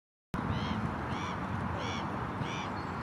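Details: Long-tailed duck (Clangula hyemalis) at Holme Pierrepont, Nottinghamshire, on 17 February 2018 gives four short, nasal, slightly bending calls about every 0.6 seconds over a steady low rumble of wind or distant traffic.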